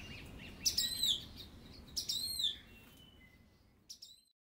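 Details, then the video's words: Song thrush singing: a bright, complex whistled phrase with a descending twist, repeated almost identically about 1.3 seconds later, then a short high thin note trailing off; faint low background rumble. "Song Thrush."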